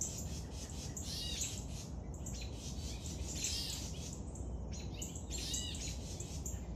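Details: Young woodpecker being fed, giving rapid high-pitched chirping and squawking bursts in clusters, repeated every second or so, over a steady low rumble of background noise.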